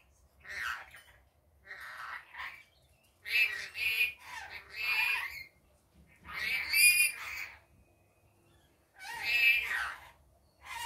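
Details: Rainbow lorikeet in the daytime giving repeated raucous, rasping squawks and chattering screeches in bursts every one to two seconds, some doubled or tripled.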